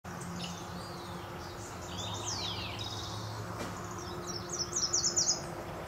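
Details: Beryl-spangled Tanager (Tangara nigroviridis cyanescens) at Sachatamia Lodge, Ecuador, in May 2012, giving thin, very high chips and short sweeping notes, ending in a quick run of sharp ticks, over a low steady hum.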